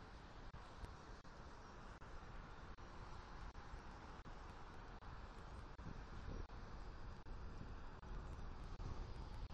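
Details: Steady broadband wind and surf-like hiss fills the recording, with no animal calls.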